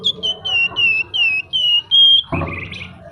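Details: Flamboyan songbird singing a string of seven clear flute-like whistled notes, each slightly falling, repeated about every third of a second, ending in a harsh buzzy burst.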